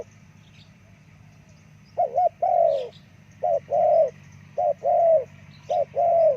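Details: Spotted dove with repeated mellow coos, short paired notes followed by longer falling coos, four phrases in quick succession, with faint high chirps from other birds behind.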